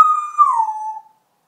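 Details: Pet talking parrot from Turkey with a vocabulary of around 80 words gives a single clear whistled note, steady then gently falling and fading after about one second.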